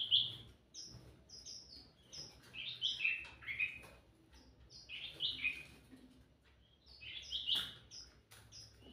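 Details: Sooty-headed bulbul singing briskly, for attracting other birds: repeated bubbly, slurred phrases against a steady scatter of thin high chips and a soft background hiss.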